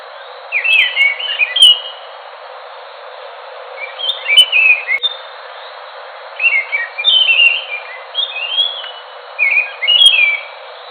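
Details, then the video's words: Enggano thrush of Enggano island, Sumatra, repeating short whistled phrases about every two seconds, each a tumble of slurred clear notes. "Anis nusa tenggara (anis macan )suara asli bikin ngotot bunyi"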